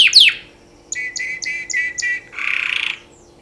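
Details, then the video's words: Canary song for mating, opening with a sharp downward sweep, then a few short buzzy notes in a row and a final dense rattling burst. "Beautiful canary singing for mating تغريد كناري جميل للتزاوج"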